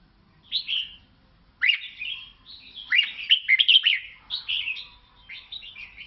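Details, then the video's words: Lao red-whiskered bulbul delivering lively, cheerful phrases: one opening note, a pause, then a run of rapid rising and falling slurred chirps ending in a fainter warble. "เสียงนกกลงหัวจุกลาว แววดี"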